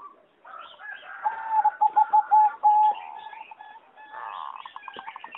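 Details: Competition-bred singing zebra dove in an aviary, 26 April 2014, delivering a quick run of clipped, tremulous coos that ends in a longer held note, over a busy background of chattering and whistling birds.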